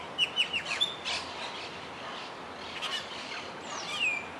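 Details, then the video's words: Austral blackbird (Curaeus curaeus) gives a quick run of four or five clear, high whistled notes, then a long downslurred whistle, with soft background hiss. "Austral Blackbird_curaeus curaeus"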